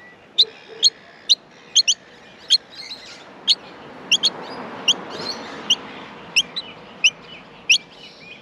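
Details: Australian miner nestlings begging during feeding: irregular high, sharp chirps, often in close pairs, over a steady soft rushing background noise.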